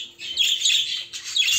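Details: Budgerigars, females with two show males newly added, chatter in a dense, high, scratchy warble of rapid chirps, almost unbroken, with a brief lull before it surges again.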